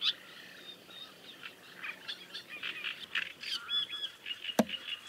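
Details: Great reed warblers chattering among themselves: a continuous harsh, grating run of scratchy notes, sometimes rising or dropping in pitch, with a sharp click near the end.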